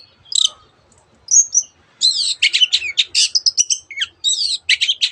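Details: Long-tailed shrike weaving canary and other bird imitations into its song: a few isolated high chirps and a short whistle, then a rapid, varied jumble of sharp notes and slurred whistles.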